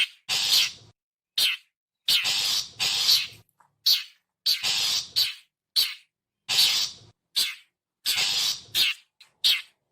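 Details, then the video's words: Long-tailed shrike used as a wild-bird lure, calling steadily: repeated harsh grating screeches mixed with short clipped chacks, about fifteen bursts over ten seconds, in near-silent surroundings. "suara panggilan khas burung cendet"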